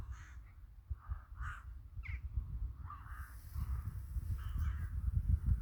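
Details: Crows calling in a village in winter: several hoarse caws at irregular intervals from more than one bird, over steady low rumbling background noise.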